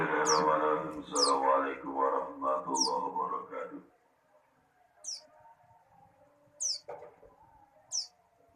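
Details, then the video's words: Young hand-raised bar-winged prinia, taken as a small chick from a kolonjono tree and reared until it could fly on its own; short, sharp, very high downward-sweeping chirps repeated every second or two, with a man talking through the first half. "anak an burung ciblek sawah"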